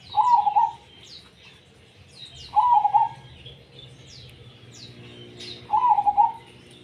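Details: Zebra dove in tumpang sari song: three rippling coo phrases, each under a second long, spaced roughly two to three seconds apart, with scattered high chirps from other birds.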